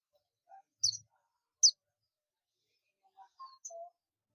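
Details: Oriental white-eye, buxtoni form, calling out to companions: two quick, high, sharp notes close together, followed by softer lower chirps and faint twittering after a pause.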